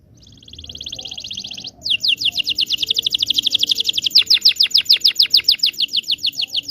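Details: Canary training song for young canaries: a soft even high trill swelling in, then a long loud rolling series of rapid descending notes.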